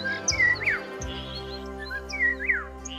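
A common starling gives two bright whistled phrases, each ending in a quick rising-then-falling slur, about two seconds apart, over a low musical hum.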